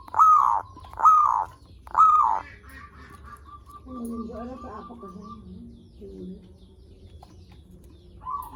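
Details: Zebra dove lure song meant to draw in and stimulate other zebra doves: three loud, stuttering cooing phrases about a second apart, each falling slightly, then softer overlapping notes from other birds and faint background noise.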